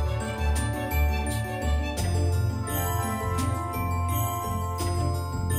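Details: Bright mallet-percussion music with tinkling glockenspiel notes over a deep bass pulse, and no animal sounds.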